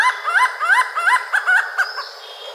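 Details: Malabar grey hornbill at Goncoi, Aldona, Goa, India, on 28 January 2013; a rapid series of rising, cackling, laughter-like notes, about seven in two seconds, fading at the end.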